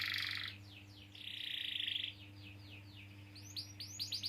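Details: Canary song used to prompt other canaries to sing: loud buzzy trill, then a series of descending slurred notes, a steady rolling trill, and fainter rapid rising chips at the end, over a low steady hum.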